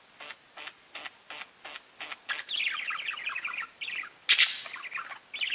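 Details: Parakeets talking to each other, opening with a row of evenly spaced short clicky chirps, then breaking into a busy run of rapid warbled notes with one sharp, high squawk near the end.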